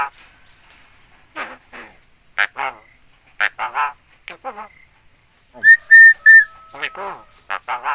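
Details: A Javan myna (jalak kebo) imitating human voices, greetings and coughing: groups of clipped harsh nasal syllables, a thin level whistle, and a loud wavering whistled phrase near the end.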